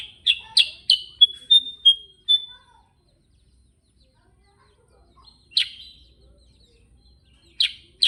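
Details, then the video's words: Sooty-headed bulbul: a fast burst of sharp chirps runs into a few clear whistled notes, then a long quiet stretch with only two isolated loud chirps later on. "Suara GACOR NGEROL KUTILANG SUTRA"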